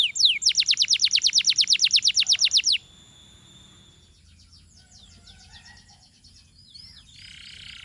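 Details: Singing canary delivers a rapid, even trill of about twenty sharp high notes over nearly three seconds, then drops to faint, softer twittering.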